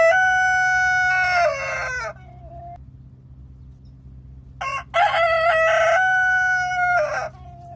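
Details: A local rooster gives two loud crows, each about two seconds long with a harsh, rasping middle and a held, falling ending, separated by a quiet pause.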